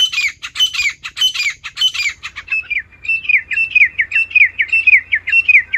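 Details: Female wild partridge calling naturally. Harsh ringing squawks give way to a quicker run of thinner downslurred notes.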